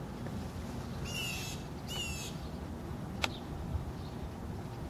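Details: Northern mockingbirds in a Texas front yard, reacting to a dead rattlesnake killed by their nest, give two harsh, raspy scolds about a second apart over a steady low rumble of wind or traffic, then a sharp click.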